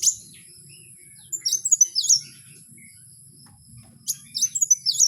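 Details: Wild kowul song in two bursts of high, thin, hooked whistles and chirps, separated by a couple of seconds of near silence with faint low background noise.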